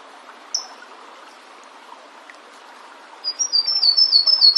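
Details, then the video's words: Flavescent warbler in the wild: one short high chip, then the opening of a song as a quick series of thin, high, evenly repeated whistled notes, cut off before the phrase ends. "Canário do Mato cantando bonito na natureza. Aprecie o lindo canto deste canário diferente."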